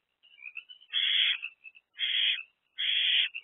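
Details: Owlet trio inside a nest box on 13 April 2024, early to midday hours: three loud rasping hisses roughly one second apart, separated by quiet thin wheezy notes.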